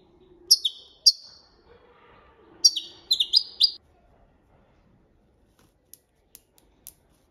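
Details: Goldfinch singing copia malaga training song, bright twittering phrases in two bursts with rapid chirps and short trills, then sparse faint ticks; low murmur in background.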